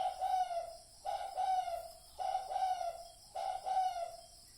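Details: Spotted dove used as a lure sound for decoy trapping: four hoarse, stuttering cooing phrases of several notes each, repeated about once a second, in a quiet setting.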